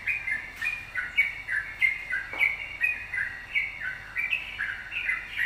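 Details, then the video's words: Yellow-vented bulbul song used as a lure to get other birds singing: busy, bubbly chatter of short notes, many sliding downward, repeated in quick overlapping phrases over a faint hiss. "pancingan trucukan gacor"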